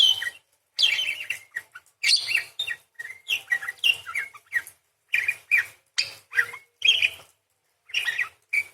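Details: Continuous parakeet warbling: tumbling, twittering notes that bend up and down, with scratchy chatter packed into fast phrases and only short gaps, sung as a long, varied stream.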